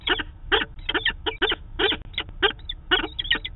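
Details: Peregrine falcon pair at their Manchester, NH nest site, daily meeting, 2 September 2018, via webcam: rough wailing notes in uneven groups, some with falling tails, several per second.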